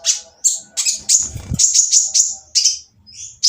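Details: Olive-backed sunbird singing a coarse, noisy song used to coax silent birds into answering: loud raspy high notes in quick bursts, with a brief low rumbling noise partway through.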